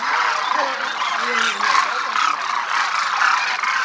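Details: Big flock of demoiselle cranes flying in formation, Rajasthan, India: loud overlapping croaks and trills, with some deeper drawn-out notes sliding beneath the main chorus.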